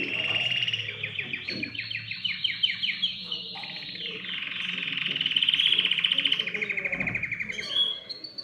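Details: Excited canary song intended to stimulate other birds to sing: a series of quick falling notes, a brief pause, then a long, loud, rapid trill with a slight rise near the end.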